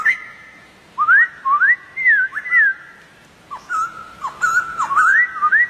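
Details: Wild White-crested Laughingthrush singing loud whistled phrases of rising and falling slurred notes around one to two kilohertz, delivered in bursts with short pauses, some notes swooping upward sharply.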